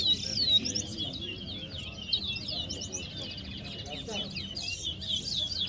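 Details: Towa towa (chestnut-bellied seed finch) singing at a bird competition at West Side, Guyana, in 2022. Busy, overlapping high twittering and warbled phrases run without pause over low background rumble and crowd noise.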